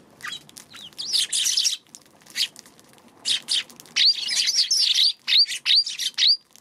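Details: Eurasian tree sparrow, recorded 2 March, chattering loudly: bright, high chirps in quick bunches, then a run of sharp, upward-flicking tweets about every third of a second, with brief pauses between groups.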